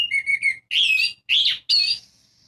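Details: Orange-headed thrush singing, used to provoke silent birds: four loud, separate bursts, a stuttering whistled trill followed by three rich, slurred, bright phrases climbing higher, ending in a thin held tone.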